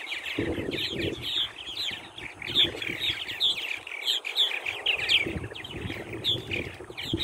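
Purple martins chatter constantly, a dense mix of rich gurgling and bright chirping notes from several birds, with some low thumping noise underneath.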